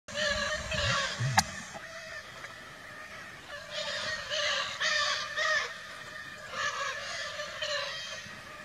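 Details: Free-flying wild Lear's macaws, also called indigo macaws, in Brazil: harsh, raspy screeches in short bursts, several spaced across the stretch over a steady background hiss.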